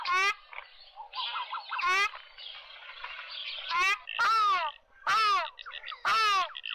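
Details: Ruddy shelduck (Tadorna ferruginea) call: loud, nasal honking, each a short braying note, given in irregular bursts about once a second, with softer chattering between.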